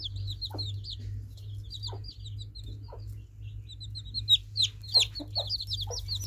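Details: Baby chicks chirp in quick runs of high, slurred peeps, growing louder toward the end, with scattered low thumps and a steady hum in the background.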